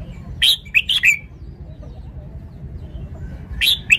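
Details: Red-whiskered bulbul, kept as a decoy bird, giving short bright chirped phrases: a cluster of three quick notes near the start, then a pause and two more sharp notes at the end, over a low background hum.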